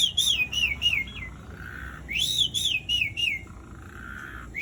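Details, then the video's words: Asian pied starling in long rolling song, played to set quiet starlings singing. Two bursts of bright whistled notes that slide down in steps, each followed by a low, flat, reedy hum. "Jalak Suren Gacor Dor Ngerol Panjang Ampuh Buat Pancingan Jalak Macet Agar Bunyi"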